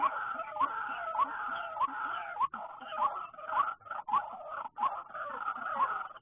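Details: White-breasted waterhen calls after rain during bird trapping, when many emerge, especially late afternoon; dense, overlapping, rising croaking notes repeat roughly every half second over a continuous raspy chattering background.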